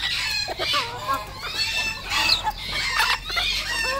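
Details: Red junglefowl, local decoy birds, calling: a run of short harmonic clucks and squawks, several birds overlapping, with bursts of higher rasping notes throughout.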